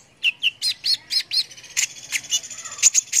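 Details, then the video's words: Brown-throated sunbird song as a master recording: a row of six looped, slurred whistles about every fifth of a second, followed by sharp, very high metallic chirps. "KONIN GACOR"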